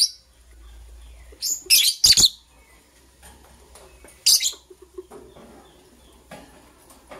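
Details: Lovebirds, green and blue, preparing for egg laying, give a quick cluster of three harsh high chirps, then a single chirp a couple of seconds later, followed by faint rustling and soft scattered sounds.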